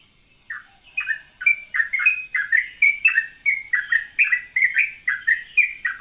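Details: After a brief silence, a sooty-headed bulbul breaks into a soothing morning ropelan: quick, bubbly, bouncing notes tumbling one after another in a lively, unbroken run.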